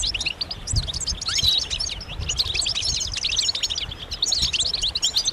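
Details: European goldfinches twittering together in a group, their mating and readiness calls used to stir males into singing; dense overlapping high chirps and short trills run continuously, with faint low rumbling beneath.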